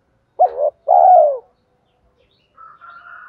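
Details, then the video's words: Decoy spotted dove for luring wild doves giving one coo phrase, a short wavering note then a long descending coo, followed by a thin, steady higher tone. "chim cu gáy mồi thúc dút dùng tập bổi và mồi hàng ngày"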